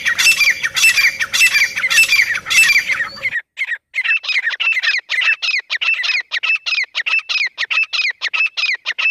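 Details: Wild grey francolin, known locally as teetar, calling: loud, harsh, grating notes, first a few broad screechy bursts, then a quick run of sharp repeated notes, roughly a hundred a minute, with no other clear sounds.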